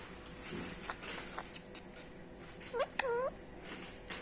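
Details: Caged three-year-old female rose-ringed parakeet, a pet green ring-necked parrot in India, speaking the word "Mitho": short squeaky clicks, then two harmonic, voice-like rising-falling syllables with rapid ticks around them.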